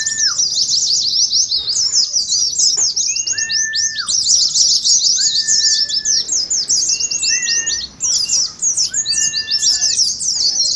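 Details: Contest-simulation song of wild-type Oriental white-eyes in ngeriwik style: a steady torrent of high, rapid twittering with repeated short level whistles below, pausing briefly near eight seconds.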